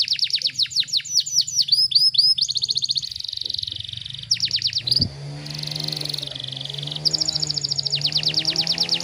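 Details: Canary tutor song in the tight 'tembakan rapat' style: bursts of fast falling whistles alternating with buzzy high trills, over a steady low rumble of traffic noise.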